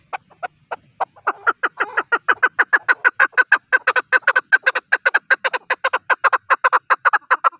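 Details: Male chukar partridge with a hunting call: a few scattered chucks that quickly build into a long, fast, steady series of sharp clucking notes.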